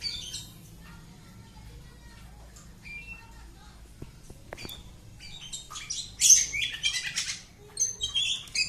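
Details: Household Oriental magpie-robin, mostly quiet at first with scattered soft notes and a couple of clicks, then breaking into loud, dense, scratchy whistled song during the last three seconds.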